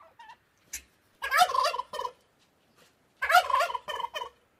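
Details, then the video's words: A turkey gobbles twice, each a loud, rapid rattling burst of about a second, with faint soft clucks between. "Turkey Gobbling"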